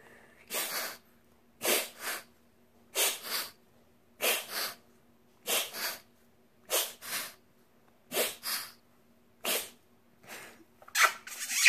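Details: A parrot beside its owner hisses in harsh, breathy bursts, often in doubled pairs, repeating about every 1.25 seconds over a faint steady hum.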